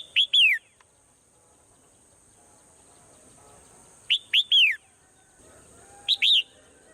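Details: Swallow calling in the morning: loud chirped phrases of two or three arched, whistled notes, the same phrase repeated at roughly two- to four-second gaps, over a steady high hiss.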